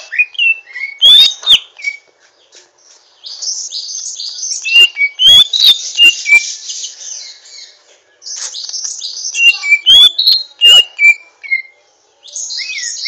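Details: Greater green leafbird, a young bird still learning to sing, gives rough twittering: bursts of harsh buzzy chatter mixed with sharp clicks and bright slurred whistles falling in pitch, in phrases separated by brief pauses.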